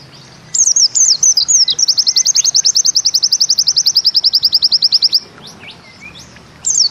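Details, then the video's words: Looping high whistles from a pleci white-eye of the Bustomi type lead into a long 'ziperrr' trill. Rapid, regular, sharply slurred notes last about three seconds, followed by scattered thin whistles. "Bustomi NEmbak Ziperrr Mudah DI Tiru"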